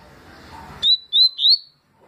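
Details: Papa-capim (yellow-bellied seedeater) singing the tui song style, recorded 2020: three loud, clear whistled notes, each sliding slightly upward, delivered in under a second after a murmur of background noise.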